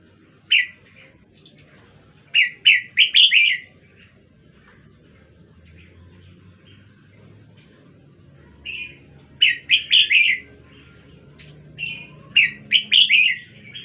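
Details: Song of a red-whiskered bulbul recorded at Jenderam. Clustered bursts of quick, chirpy, warbling notes are separated by pauses of several seconds, with thin high ticks between them and a faint low background hum.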